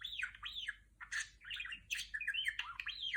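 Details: [1, 'Female pet budgerigar talking, imitating R2-D2 sounds from Star Wars: arched, sliding whistles rising and falling between mid and high pitch, interspersed with buzzy bursts, in a quiet room.']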